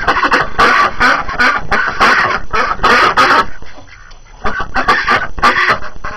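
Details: Penned ducks on a snowy January morning, hungry after confinement, chattering loudly: dense, overlapping raspy quacks in rapid runs, with a brief lull near the fourth second before calling resumes.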